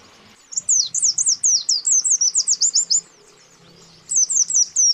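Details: Male and female white-eyes calling a rival, a lure to make aggressive birds respond. A rapid chain of about twelve piercing, down-slurred notes is followed after a pause by a shorter burst of four.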